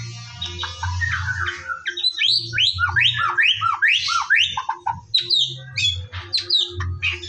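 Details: White-rumped shama (murai batu) singing in the morning, recorded to coax birds into active song: a fast series of sharp, sweeping whistled notes repeated about twice a second, then scattered chips, over a low hum.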